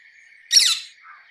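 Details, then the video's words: Rose-ringed parakeet uttering one brief, harsh squawk that drops at its end, set against a continuous high buzzing hum. "Rose ringed parakeet Song ! Rose ringed parakeet Call ! Rose ringed parakeet Sounds"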